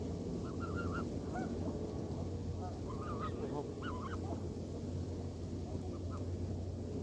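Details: Canada goose giving a series of short, nasal, slightly rising honks in loose bursts, faint against heavy low rumbling background noise.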